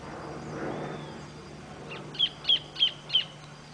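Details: Orange-breasted thornbird calling: a short series of four sharp, high, chip-like notes evenly spaced about a third of a second apart, following a quiet stretch with a faint whistle and low steady background hum.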